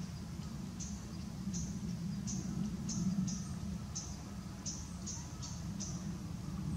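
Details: Japanese tit calling on 20 November 2016 after bathing, shaking water off and stretching, recorded with a Nikon COOLPIX P900: about twelve very short, high, thin notes, irregularly spaced roughly half a second apart, over a steady low rumble.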